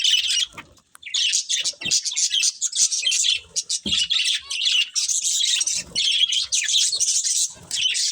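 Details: Budgerigar breeding pair chattering almost continuously, buzzy rasping chirps and warbles running in fast overlapping phrases with a short pause near the start.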